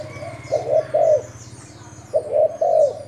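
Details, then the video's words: Spotted dove from Thailand used as a decoy, producing two short bursts of paired coos, each note broad and slightly falling, separated by a pause, over low background hum. "Cu gáy mồi thailand"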